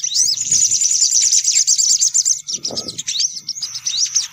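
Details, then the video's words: Sunbird calls played as a lure: excited, very high twittering with rapid slurred notes, about three per second, plus a soft low rumble partway through. "Suara Pikat Burung Kolibri Paling Manjur"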